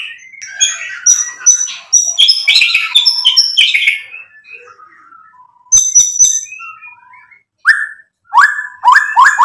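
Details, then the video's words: White-rumped shama singing as a lure to provoke other birds: a dense burst of varied chirps and high whistles, then soft scattered notes and a pause, ending with loud repeated downward-sliding whistles. "MURAI BATU GACOR bikin EMOSI ampuh buat PANCINGAN biar NYAUT BUNYI"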